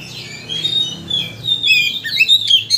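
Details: White-rumped shama provoking song: long soft whistles giving way to quick chirped notes and sharp downward slurs in the final second.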